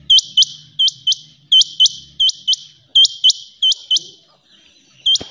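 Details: Rain quail giving loud, high, clipped double notes, each pair repeated at a steady pace of about one every 0.7 seconds. A faint low hum runs underneath, and a click sounds near the end.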